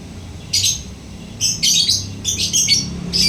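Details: Lovebird chattering in rough, high, squeaky bursts, the later ones running together into a busy stuttering sequence.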